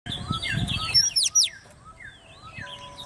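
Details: Hand-raised caged Oriental magpie-robin, ten months old, singing competitively: a jumble of clear whistled slurs and short chirps, with some sharp rising and falling notes near the middle and a low rumble of background noise.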